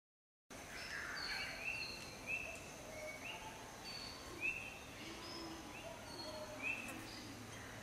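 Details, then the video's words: Shining flycatcher, found in far north Western Australia, NT and Queensland, giving short, sharp mid-pitched notes at irregular one-to-two-second intervals, over a steady hum with faint higher calls of other birds. "Shining Flycatcher"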